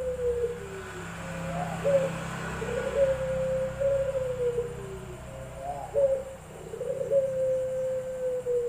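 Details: Competition puter pelung dove in an online singing contest from Semarang, Indonesia, August 2021, cooing in repeated phrases about every four seconds, each a brief wavering lead-in sliding into a long, level, sustained low note.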